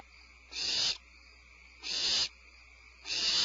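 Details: Barn owl in the evening of 25 February 2012, after a supplemental prey drop, giving three harsh, breathy hissing bursts, each under half a second, spaced about a second apart, hiccup-like, over a faint steady high background hum.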